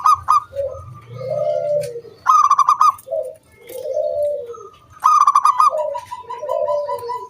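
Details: Loud zebra dove, a local wild bird, singing its 'kung bulat' song to prompt other doves to sing. Sharp rapid notes are each followed by a short note and then a drawn-out, falling coo, three times, with a steady faint tone behind.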